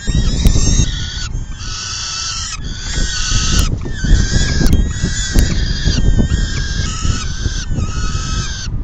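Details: Peregrine falcon nest feeding, 10 June 2022, about 4:08 PM; a long run of raspy, strained wailing calls in roughly one-second bursts, some wavering in pitch, with a few sharp clicks and heavy wind rumble.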